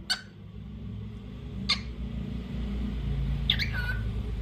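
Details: Sharp harmonic chirps from a lutino cockatiel, three notes at roughly one-and-a-half-second gaps, the last trailing into a short flat whistle, over steady low rumbling background noise.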